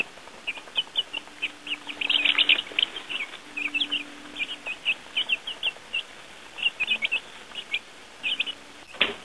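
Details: Young chicks outside for the first time, feeding on earthworms, keep up a steady chatter of high short peeps, several birds overlapping, with a louder cluster near the middle and a faint hum beneath.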